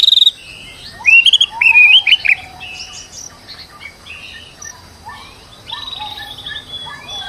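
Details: Stressed white-rumped shama used as a lure to provoke singing: a loud burst of rising, fluttering whistles early on, then quieter varied chips and slurred notes over a faint hiss.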